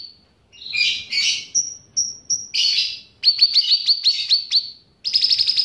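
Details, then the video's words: Cucak ranting bulbul, trained on cicilin song, singing eagerly: rough buzzy chirps, three thin high whistles, a harsh burst, then a rapid series of sharp metallic notes and a final high trill. "Cucak Ranting Gacor Isian Cicilin"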